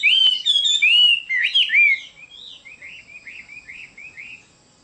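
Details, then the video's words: Chinese hwamei sings loud, ringing whistled phrases for two seconds, then trails off into softer repeated arched notes. "Chim họa mi đẹp và hót rất hay"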